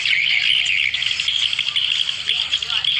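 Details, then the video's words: Swiftlet calls played as a lure to draw swiftlets together: a thick wash of shrill, fast chattering chirps, overlapping continuously with slight swells in loudness and no gaps. "SUARA PIKAT PEMANGGIL BURUNG WALET"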